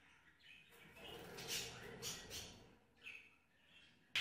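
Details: Colony-kept budgerigars fighting: harsh, scratchy chatter and sharp chirps in quick bursts, with a sudden loud click at the end.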